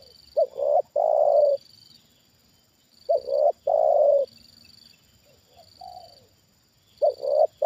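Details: Trained spotted dove reacting to a wild bird lured down for the second time: loud three-part coo phrases, two quick notes and a long falling note, repeated about every three seconds, with a faint answering coo between them and a steady high background whine.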